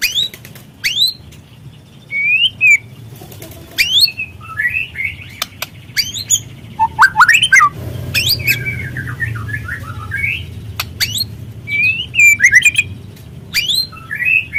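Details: Spotted young White-rumped shama used as a singing lure for other shamas: a long varied sequence of sharp ticking clicks, looping whistles and warbled phrases, repeated in bursts every second or two, with low humming background noise.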